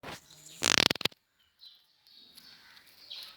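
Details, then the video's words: An African grey parrot in an angry mood gives one loud, harsh, raspy screech lasting about half a second, followed by faint, thin, high chirps against quiet background noise. "African Grey Parrot in Angry Mood"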